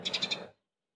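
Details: A Eurasian tree sparrow among wild birds gathering to eat persimmons in a persimmon tree gives a quick burst of four sharp, high chirps within half a second, then silence, with faint low rustling beneath.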